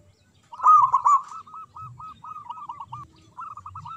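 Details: Local zebra dove with a big voice in manggung song, meant to get silent doves singing; a loud rolling burst opens, then a steady even series of short rounded coos continues to the end over a faint hum.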